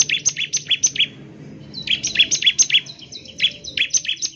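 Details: Bar-winged prinia in fast, vigorous song that sets other birds singing, with quick doubled chip notes at a brisk, steady pace, a pause around one and a half seconds, then more.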